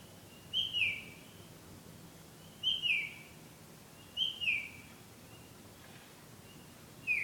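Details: Returning bird singing love songs at night; four short two-part whistled phrases, each a quick rise and dip, repeated roughly every one and a half to two seconds.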